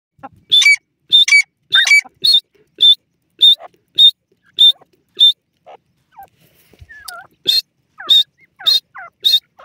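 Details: Grey francolin (dakhni teetar) giving a loud call: sharp ringing notes repeated briskly, about 100 per minute, some doubled, a short pause with softer sliding sounds, then the rapid series resumes.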